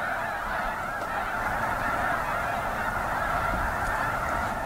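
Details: Many snow geese calling at once, a constant roaring wall of shrill honks that holds an even loudness from start to finish.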